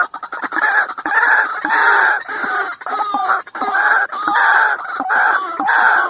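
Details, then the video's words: White-breasted waterhen giving loud, harsh, croaking notes repeated in a rapid, uneven stream, about one and a half per second, with no other sounds. "dak pakhir dak.suara ruak ruak. waterhen sound.ডাউক পাখির ডাক ডাহুক পাখির ডাক শুনছেন ডাহুক পাখির ডাক"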